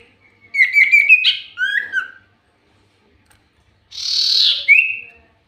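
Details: Common iora (cipoh) lure song, very active singer: a run of rapid whistled notes rising near two kilohertz, a lower slurred whistle, then after a pause a long harsh buzzy note ending in a short clear whistle.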